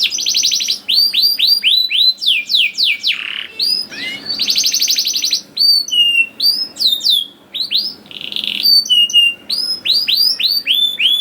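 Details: Canary singing as a training lure for young birds: rapid sweeping chirps alternating with buzzy trills and clipped whistled notes, delivered in energetic, rolling bursts.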